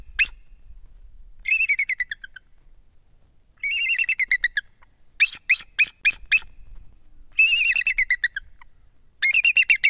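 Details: Two bald eagles at their Kisatchie National Forest nest atop a lakeshore loblolly pine in Louisiana, 12-19: bursts of rapid, thin, high chittering notes, each run lasting about a second and repeated every couple of seconds, over a quiet background.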